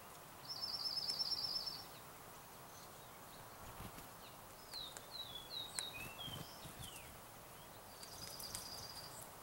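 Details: Juncos among other birds during a mid-April snowstorm: a dry, even, high trill lasting over a second, then scattered short thin down-slurred chirps from other birds and a second high trill near the end, over steady low background hiss.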